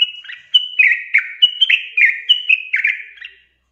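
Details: Sooty-headed bulbul song used to encourage quiet birds to sing: a brisk, bubbly run of short whistled notes, each dipping in pitch, lasting about three seconds.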